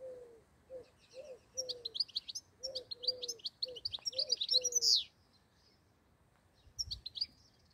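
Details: European goldfinch singing: a fast, jumbled, high twittering with tinkling and buzzy notes that builds over about three seconds, under a repeated series of low, short tonal notes. After a pause, a brief twitter returns near the end.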